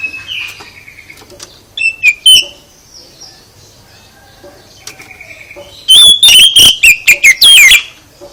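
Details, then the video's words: Oriental magpie-robin singing to provoke a reply from other birds: scattered soft whistles and short chirps, then a loud two-second run of rapid, sharp, varied notes near the end. "Gak Mungkin Gak NYAUT ketika KACER ditempel dengan KICAU ini"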